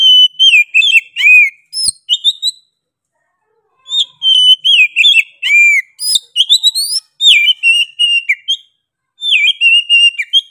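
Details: Oriental magpie-robin singing energetically. Bursts of loud, high, varied whistles swoop up and down, with sharp clear notes, in two long runs separated by a short pause. No other sounds.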